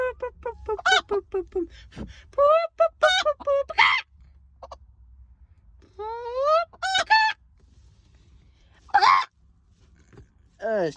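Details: Loud chicken noises: fast, regular clucking that breaks into harsh squawks and drawn-out, rising cackles, with short pauses between bursts.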